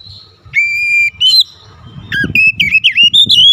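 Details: Oriental magpie-robin, singing actively. A held level whistle and a short bright note come first, then a fast string of twisting, upslurred and downslurred whistles over a low rumble.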